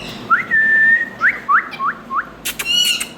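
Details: Whistled parrot notes: a rising note drawn into a long level whistle, then four short upward-flicking whistles in quick succession, closing with sharp clicks and a raspy squawk.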